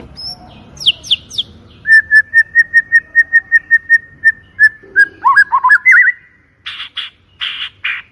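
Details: White-rumped shama lure song: a few thin high notes, then a steady run of about fifteen identical short whistles, a twisting whistled flourish, and closing harsh rasps.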